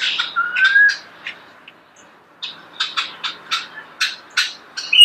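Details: Nearby starling song: a slurred whistle and a few clicks, then a short silence, then a string of sharp, evenly spaced clicking notes.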